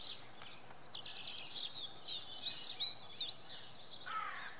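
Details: A common redstart singing in the early morning at Oksywie gives a short, high, jangling phrase of quick twittering notes, then a lower slurred note, over faint background hiss.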